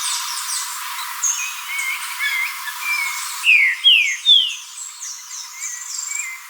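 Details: Green-winged saltator singing: light chirping notes at first, then three strong downslurred whistles about half a second apart, followed by quieter twitters and a brief trill at the end.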